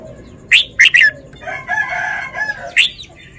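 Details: Red-whiskered bulbul performing its song phrasing: quick loud chirped notes in a cluster, a softer rolling warble in the middle, then one more bright note.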